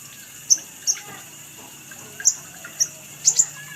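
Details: Sogok ontong, the little spiderhunter, in a lure recording made to set birds singing: six sharp, very high chips at uneven gaps of about half a second to a second, with the last two paired.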